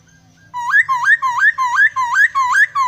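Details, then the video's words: Laughingthrush singing strongly with fill-in phrases: a rapid series of about nine loud whistled notes, each sweeping sharply upward, repeated roughly three times a second in a steady, ringing rhythm. "Poksai gacor isian full...suara anehh"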